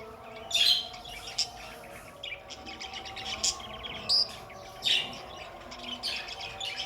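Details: Budgies kept as pets, calling in brief bright chirps roughly every second, some scratchy and some clear, over a quiet bed of soft continuous music tones.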